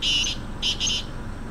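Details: Black francolin calling: three harsh, grating bursts in quick succession, a longer first note followed by two shorter ones, over a low background rumble.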